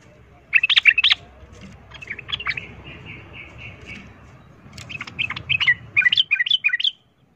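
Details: Sooty-headed bulbul fighting song meant to provoke rival birds; clusters of quick bubbly whistled notes, a soft steady series of repeated tones in between, then another fast bubbling phrase.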